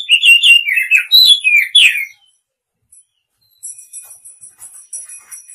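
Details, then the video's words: Oriental magpie-robin song: two seconds of rich, varied whistled phrases sliding up and down, with sharp high notes over them. A brief pause follows, then a run of thin, very high tinkling notes repeated rapidly to the end. "Tiếng Chim Chìa Voi (Chích Chòe) Hót Chuẩn 2020"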